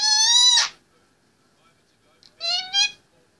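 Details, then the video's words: Pet Indian ringneck parakeet aged 18 months talking on its play stand: a loud sustained harmonic vocal note, a pause, then two shorter rising speech-like syllables. "Indy 18mths old loves to talk on top of his play s"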